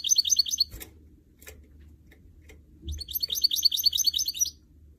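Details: Goldfinch mule, hybrid of canary and goldfinch, singing in captivity: a quick high twitter, then a longer rapid jangle of bright repeated notes after a pause, a few clicks between.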